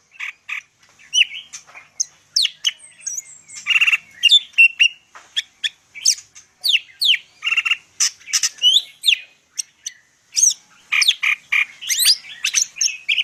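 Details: Medan greater green leafbird in full, busy song: long stream of quick chirps, rasping notes and whistled slurs, steady and unbroken over many seconds.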